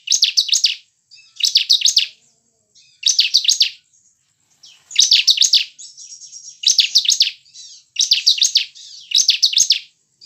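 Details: Bar-winged prinia song used as a lure to get caged birds singing: bursts of rapid, high, buzzy trilled notes, each about half a second long, repeated roughly every second and a half, with faint thin twittering between bursts.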